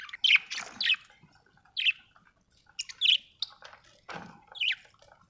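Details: Budgie in a happy mood, sharp bright chirps and harsh squawky notes in short bursts about a second apart, some with scratchy trailing chatter between them.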